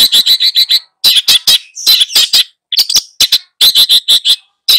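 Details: Long-tailed shrike in full song while tutoring two young birds: rapid harsh chattering notes in clusters, buzzy and loud, broken by brief gaps before each new burst.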